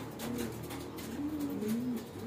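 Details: Domestic pigeons in a loft in the Philippines, kept birds about to be released, older birds said to be aggressive toward young birds; a low, moaning coo that rises, holds, then dips, in drawn-out phrases over faint room noise.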